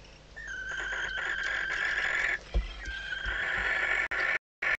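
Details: Female barn owl in a nest box at Riet Vell, Ebro Delta, calling as the male arrives, a few days before the first chick hatches. Two long, rasping, wheezy calls, with faint knocks and scuffles between them and a brief cut-off near the end.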